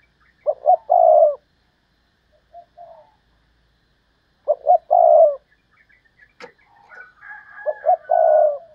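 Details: Decoy spotted dove cooing: low, hoarse coo phrases of two or three notes, repeated about every four seconds, with a brief click and faint higher twittering near the end.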